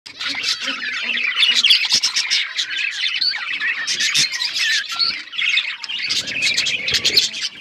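Budgerigars chatter in a dense, continuous warble of scratchy chirps, squawks and rapid clicks, several birds overlapping with no pause.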